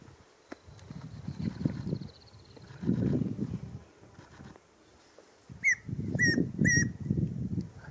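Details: Tawny antpitta at Reserva Antisana, Napo, Ecuador: three clear whistled notes in quick succession late in the recording, set against heavy low rumbling background noise and a few faint higher sounds.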